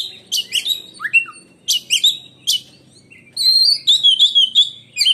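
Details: Kept oriental magpie-robin from Indonesia delivering a shrill, striking song like a lightning bolt: quick slurred whistles and scratchy chirps in clusters, then a loud run of rising and falling whistled notes.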